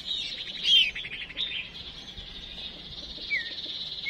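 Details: A female songbird decoy calls to get males singing: a sharp high whistle and a quick trill, then a steady high hiss and one short descending whistle.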